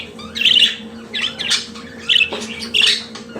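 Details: Pet budgerigar singing: sharp, squawky high chirps in short bursts, one clicking note between them, over a faint constant hum indoors.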